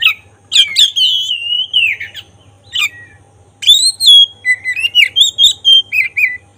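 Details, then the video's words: Black-breasted oriental magpie-robin in full song, a sound used to provoke emotion and make the bird open its tail: loud whistled phrases, a long sliding note, then a rapid series of short rising and falling chirps. "Suara khas pancingan agar emosi buka ekor burung kacer dada hitam gacor"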